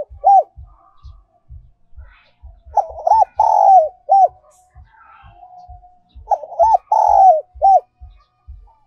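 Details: Spotted dove singing a decoy song in the whistle-like 'còi' voice, also called 'kim' voice. The song comes as two loud phrases of arched coos ending in a long drawn note, separated by quiet. A steady low knocking pulse underlies it.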